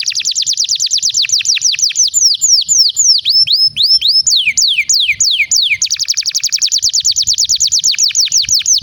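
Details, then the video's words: Canary singing to encourage other canaries: long varied phrases of rapid trills alternating with slower, separated downward-sweeping whistles, then a fast trill again. "Pancingan Kenari gacor panjang untuk masteran kenari paud & terapi kenari macet bunyi agar gacor"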